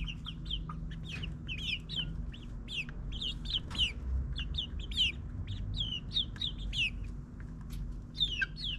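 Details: Nine-week-old chickens in a suburban backyard, spending mornings in their run before hunting spiders on the lawn, give a dense stream of sharp, high, upward-sweeping peeps several times a second, over a low droning hum.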